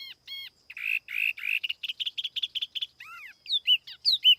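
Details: Tiểu mi laughingthrush lure song without background noise: arched whistles, a burst of rough buzzy notes, a quick twittering run, then clear looping whistled phrases.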